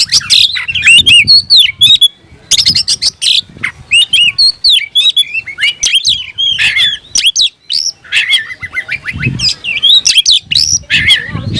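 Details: Rival-seeking song of an oriental magpie-robin, known locally as kacer: rapid streams of sharp chips, upslurred whistles and scratchy bursts, continuous for long stretches with short gaps and soft low background noise.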